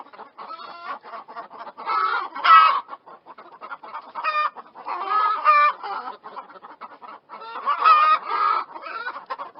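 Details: Several chickens clucking together, overlapping throaty mid-pitched clucks and short squawky phrases rising and falling in uneven bursts with brief quieter gaps.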